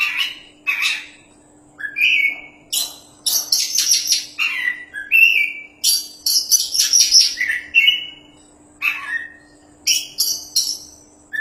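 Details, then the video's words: Champion Oriental magpie-robin in full song for tutoring other birds: loud bright whistles and scratchy high bursts in a busy, almost continuous flow with brief gaps, mixing slurred notes and rasps; quiet hum underneath. "BURUNG KACER JUARA GACORRR PAS BUAT MASTERAN~"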